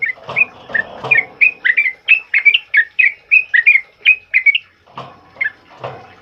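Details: Sustained, loud 'ropel' singing from a sooty-headed bulbul, used for training other birds: a fast, steady string of fluty, slightly rising whistled notes, roughly one and a half per second, continuing with little break.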